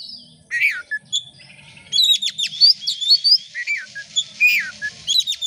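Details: Oriental magpie-robin in full song, used as a lure to set other birds singing: high whistles, slurred notes and quick clipped chattering bursts in a lively varied stream over faint low background hum.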